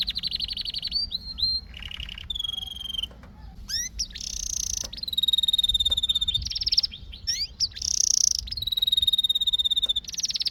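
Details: A singing canary delivers a loud varied song of rolling trills, descending slurred notes, buzzy bursts and a long steady whistled tour, each phrase lasting about a second.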